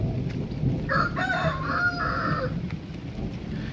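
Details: A big local rooster crows in a friend's yard in Gosaba, India, on a rainy afternoon: a hoarse multi-part call over heavy low rumbling from rain and thunder.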